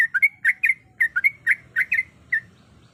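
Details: Female sooty-headed bulbul calling to the male: a rapid series of short, bright chirped notes with rising and falling inflections, about a dozen in three seconds, over a faint low hum.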